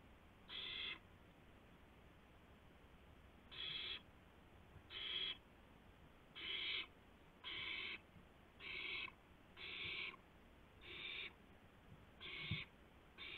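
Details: Owl recorded by a live nest camera at 2:51 AM, 2 April 2016, while one bird delivers a gopher to another; a long series of about ten harsh, breathy screeches at an irregular, quickening rhythm.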